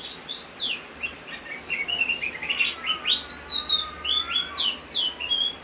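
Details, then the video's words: Javan grey-throated white-eye singing energetically in the rain: a long, fast stream of high whistled notes, many slurred downward, rising and falling in a busy, chattering sequence with almost no breaks. "opior jawa gacor saat hujan."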